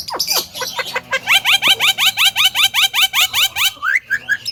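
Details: Javan myna kept as a talking cage bird, used to provoke other mynas: harsh squawks, then a fast even series of about fifteen rising, nasal notes, roughly three per second, ending in a slurred squawk.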